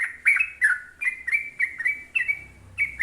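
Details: Short run of sooty-headed bulbul (trucuk) song in the 'ropel panjang' style, with clear whistled notes that swoop down and level off, about three phrases per second.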